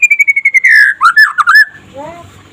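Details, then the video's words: Daytime trotol song from a white-rumped shama, used as a master recording for other shamas: quick repeated whistles falling slightly, then a longer swooping whistle and a few varied slurred notes, fading into faint low sounds. "SUARA KICAUAN BURUNG MURAI PASTOL DINLAGI HARI AGAR CEPAT GACOR"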